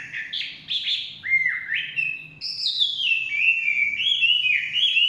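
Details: Chinese hwamei in the forest giving a varied whistled song: brief rising and falling notes, then a high sweeping whistle that drops into rapid, warbling trills, loud and sustained against a soft low background rumble.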